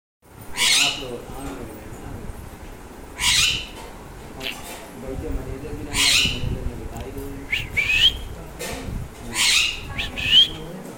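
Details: A pair of three-year-old Alexandrine parakeets giving loud, harsh squawks roughly every two to three seconds, some with a short rising whistled tail, amid quieter chatter and room noise.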